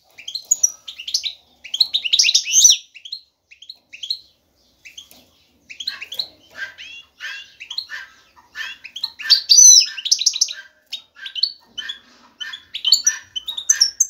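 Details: Male European goldfinch singing to attract a female for mating: dense bursts of high, bright twittering and tinkling notes with short buzzy trills, broken by brief pauses, in a quiet setting.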